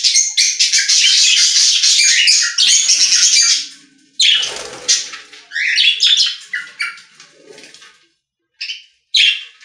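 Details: Pet-store budgerigars singing: a long, dense stretch of fast scratchy warbling, then a pause and scattered squeaky chirps and short phrases that thin out, with two final brief bursts.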